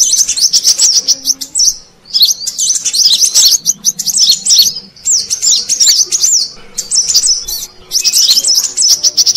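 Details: High-pitched lure call of the Brown-throated sunbird, played to draw in wild birds: rapid runs of sharp, squeaky, zigzagging notes in three or four bursts separated by brief pauses.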